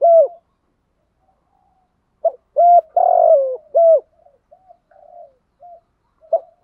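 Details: Spotted dove used as a decoy bird gives low, hollow coos in short clustered bursts of two or three notes, then soft trailing murmurs between phrases; nothing else is heard.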